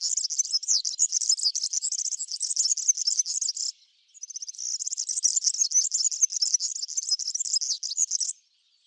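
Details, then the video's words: In a backyard, a European serin feeding on cabbage seeds sings two long, sizzling, high-pitched jingling phrases, nearly four seconds each, with a brief break between them. "European Serin Call Serinus serinus Song Milheirinha Canto Chamariz"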